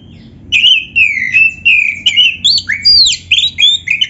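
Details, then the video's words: Oriental magpie-robin (kacer) singing a champion-style song meant to draw answers from other magpie-robins; loud clear whistled notes, some falling and some rising, given in quick succession with brief gaps. "SUARA BURUNG KACER GACOR ISIAN JUARA ‼️ - Stel suara ini BIKIN KACER LAIN CEPAT NYAUT"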